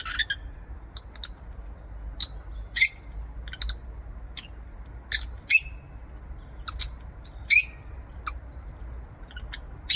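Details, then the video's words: Aviary lovebirds make sparse, thin, high chirps, single sharp notes scattered irregularly every second or so, some with a brief buzzy tail, over a quiet low hum. "LOVEBIRD SOUNDS"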